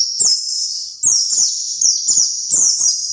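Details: Song of a white-eye used as a lure for other white-eyes, a steady stream of high, sweet phrases, each starting with a sharp upward flick then slurring down, repeated roughly every half second alongside soft low clicks.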